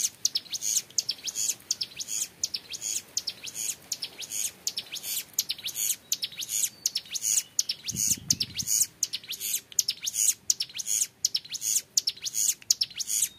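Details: Sustained clear ngebren song from a young hill prinia: strings of shrill, fast clicking notes repeated in steady bursts, with a brief low rumble in the background near the eighth second.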